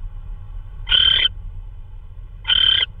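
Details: Early-morning prey delivery by an owl, possibly a vole, March 16, 2013; two harsh, breathy screeches about 1.6 seconds apart over a quiet low rumble.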